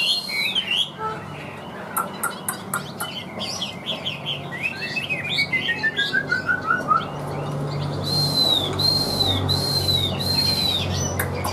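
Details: Chinese hwamei kept in a cage: bright whistled phrases, then a quick falling cascade of short notes, ending in four loud arched whistles in a row, each rising and falling, with broadband rustling behind them.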